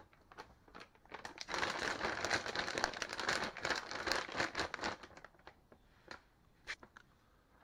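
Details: Rapid crinkling and rustling like plastic or paper being handled indoors, building up and fading again, with a few sharp clicks and no animal calls.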